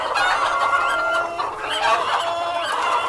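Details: Crowded flock of hens and a cockerel, a steady wash of overlapping clucks and drawn harmonic calls with no clear single bird.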